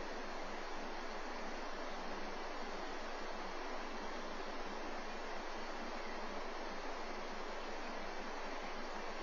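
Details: Constant rushing hiss, like wind or camera static, with nothing else audible.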